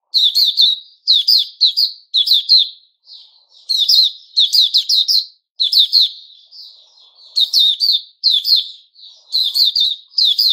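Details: White-rumped shama giving its opening song ("buka"), recorded 29 August 2021. Steady bursts of rapid, sharp high notes alternate with softer, lower-volume warbled interludes.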